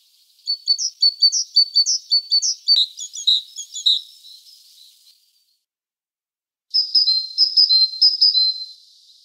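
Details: A tit visiting a fisherman calls in fast runs of high, sharp, slightly buzzy notes. There is a few seconds' pause, then a second burst of rapid chattering notes.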